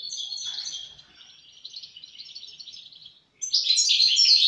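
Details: Song of a European goldfinch: fast twittering notes, a softer buzzy trilled stretch, a brief pause, then a loud burst of bright, jangling chirps.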